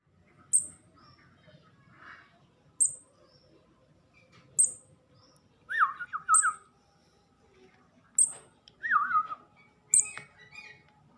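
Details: Kemade fledgling still being hand-fed, begging: scattered short bursts of downslurred chirps mixed with sharp high ticks, roughly every two seconds, with quiet gaps between.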